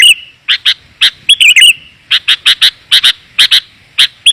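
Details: Sooty-headed bulbul lure sound for attracting wild birds: clean, sharp doubled chirps repeated at a steady quick rhythm, with one brief warbled phrase near the start, clear and closely spaced.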